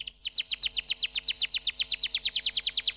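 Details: Canary repeating one downslurred chirp in a steady rapid series, around eight notes a second, throughout.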